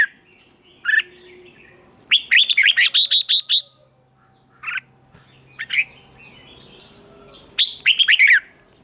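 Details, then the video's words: Red-whiskered bulbul contest song meant to stir rival bulbuls: scattered single chirps, then a quick string of about seven clipped, liquid notes, more sharp chirps and a final rippling phrase of five or six notes. "Chào Mào Kích Bổi Nhanh Ra Giọng | Kích Chào Mào Hót Đấu. Chào Mào Kích Trống Hót Căng Lửa."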